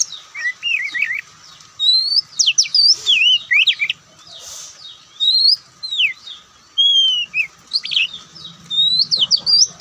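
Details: White-breasted Oriental magpie-robin (Kacer Poci) in relaxed song: high twisting whistles and trills in bursts with brief gaps, some notes sliding down, others rising, against a low constant background hum.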